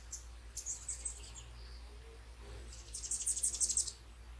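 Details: Hummingbirds stopping to feed at sunrise: scattered high thin chirps early, then a dense burst of rapid, very high squeaky twitters near the end, over a low constant water hum.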